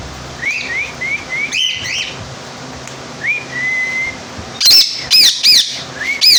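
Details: Rose-ringed parakeet giving thin, rising whistled notes in short runs and one drawn-out whistle, then a series of loud, harsh screeching calls repeated roughly every half second.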